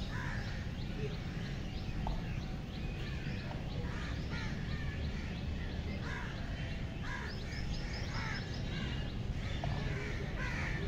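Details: Cranes, a flock heard together, giving many overlapping rolling, bugling calls in steady succession throughout, some sharper upward-bending notes near the end, over a constant low rumble of wind or background noise.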